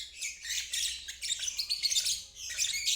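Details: Brief stretch of lovebird ngeriwik, a trill used to train young or stalled birds. A continuous, buzzy, high chatter wavers in loudness with a few thin squeaky notes.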